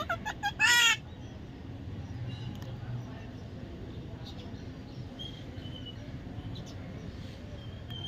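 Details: Baby parrot giving one loud, harsh squawk with stacked harmonics in the first second, followed by steady background hiss and a few faint, thin chirps.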